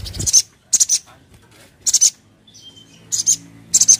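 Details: Sogon, the crimson sunbird, in a lure recording: five crisp, very high two-part 'cret cret' chirps spaced roughly a second apart, with a brief thin whistle in the middle and faint low hum behind.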